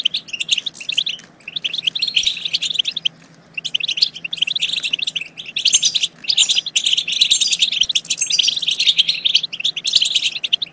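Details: Goldfinch song used to prompt goldfinches to sing and mate. Rapid, bright twittering in bursts, with a quiet gap near three seconds, then fuller, continuous chirps and trills.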